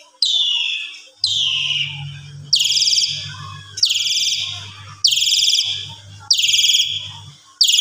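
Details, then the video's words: Asian pied starling, evening song for tutoring other birds: loud, harsh, broadband screeches repeated about every 1.3 seconds, each falling slightly in pitch, with a faint low hum between them. "Pancingan Sore !! Jalak Suren Gaya Full Isian Segudang Gacor Suara Istimewa Cocok Buat Masteran"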